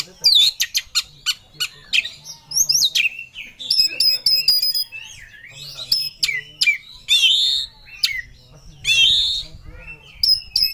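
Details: Kacer, or Oriental magpie-robin, sings with full emotion in a ngobra state, searching for a rival. It gives a long varied medley of sharp ticks, high whistles and scratchy buzzy phrases, with a few brief pauses between bursts.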